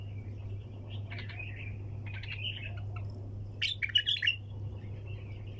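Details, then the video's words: Continuous bulbul song in the tak janah, hunter style: soft warbling phrases build to a loud cluster of sharp, clicking chirps near the end, over a steady low hum. "طك جناح بلبل طور صياد بدون توقف"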